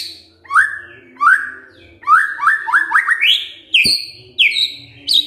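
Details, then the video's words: Kretekan fighter call of a white-rumped shama, meant to make a silent bird respond. Repeated upward-swept whistled notes build into a quick run. A sharp click and higher whistles follow. "KRETEKAN FIGHTER✅ BEBERAPA DETIK SAJA, MURAI DIAM PASTI RESPON NYAUT✅✅"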